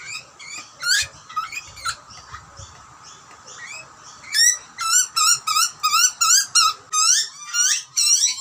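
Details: Australian wild butcherbird chick begging as its parents bring food: a few scattered upslurred squeals, a quiet pause, then a fast run of harsh, rising, harmonic screams over a steady background hum.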